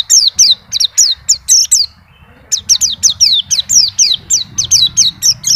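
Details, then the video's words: Steady white-eye singing with its repertoire on show: repeated bright, high notes sliding downward, roughly four a second, broken by a half-second gap before resuming, faint hum underneath. "PLECI NGACOR ‼️BONGKAR ISIAN"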